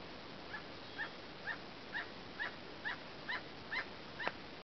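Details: Emerald toucanet song of evenly spaced, short croaking notes, roughly two per second, all alike, against steady background hiss, with a sharper note near the end.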